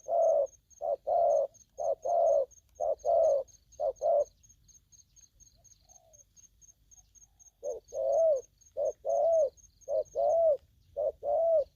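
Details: Spotted dove calling aggressively: rapid series of low coos, a pause of about three seconds with one soft note, then the coos resume, a faint high ticking tone behind.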